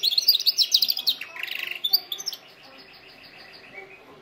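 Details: Canary song for training canaries: a lively burst of rapid high trills and a buzzy roll, fading into soft quiet repeated notes.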